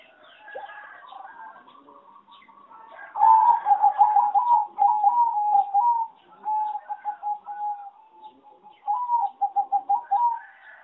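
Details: Farm-bred singing zebra dove, from a line bred for competition singing and said to sing a poor melody. It gives a soft low coo, then bursts of rapid rolling, trilled cooing phrases separated by brief pauses.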